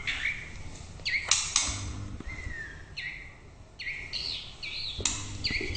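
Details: White-rumped shama song: loud, varied whistled phrases with rising and falling sweeps, sharp chips and a descending whistle, given in bursts about every second.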